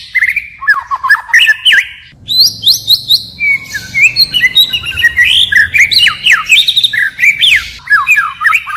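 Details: White-rumped shama singing forest-style song, switching voices continually; dense fast run of high sharp chirps and twittering slurred notes, almost unbroken.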